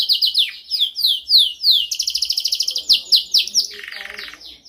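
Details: Dominant training song of a canary, bright downward-sliding whistles that speed into a rapid high trill, ending in a lower buzzing roll.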